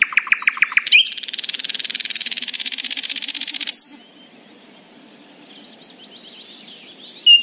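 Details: Nightingale singing in the morning: a few sharp repeated notes lead into a long, loud, grinding rattle lasting nearly three seconds, then near silence with faint distant song.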